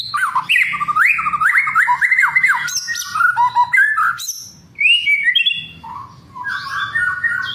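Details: White-rumped shama, a fighter bird, singing to provoke emotion and act as a tutoring master: rich varied whistled song with rapid swooping notes, sharp high chips and buzzy phrases, a brief pause near the middle, then lower warbled whistles.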